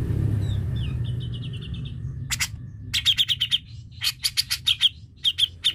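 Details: Grey-cheeked bulbul sounds used to coax a silent bird into singing: soft wavering whistles, then loud bursts of crisp, rapid chattering notes separated by short pauses, with a low rumbling background.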